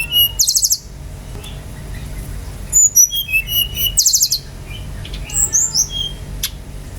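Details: Lure song of a Bali brown-chested jungle flycatcher, meant to provoke other birds into singing: harsh buzzy bursts alternate with quick varied whistles and chirps, the pattern repeating twice over a faint hum.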